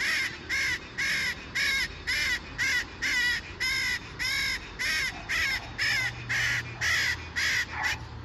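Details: City parakeet repeating loud grating squawks at an even pace of roughly two per second, the series steady throughout, with low urban rumble underneath.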